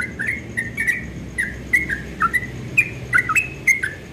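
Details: Yellow-vented bulbul at dawn in ropel style, sweet clipped whistles hopping between pitches, set against a noticeable low background rumble and hiss.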